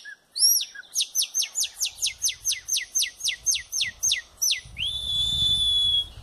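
Chopi blackbird song: about fourteen clear, sharply falling whistles at roughly three per second, ending in a long, steady, high whistled note.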